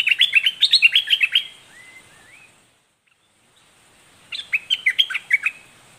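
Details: Red-whiskered bulbul, southern Thai 'dok taeng' type, giving its lively, fierce doubled-note song: a quick burst of bright chirped notes, a soft slurred whistle, about two seconds of near silence, then another rapid chirpy phrase.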